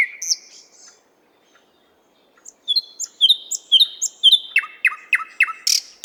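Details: In a park in Moscow a nightingale gives a brief whistle, falls silent, then sings a quick series of repeated high whistled notes followed by rhythmic falling slurred phrases.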